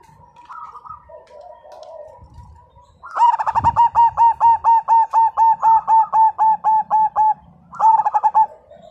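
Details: Majapahit zebra dove, a vigorous, combative singer whose voice is said to set other birds singing: after faint distant cooing, a loud run of about fifteen even, hollow staccato coos at a steady pace, then a short burst of similar notes.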